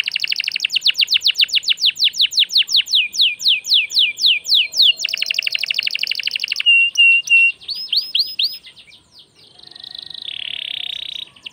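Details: Energetic canary song used as a lure for other birds: fast repeated descending sweeps, a dense buzzy trill, a short flat whistle, looping notes, then a harsher sustained buzzy phrase.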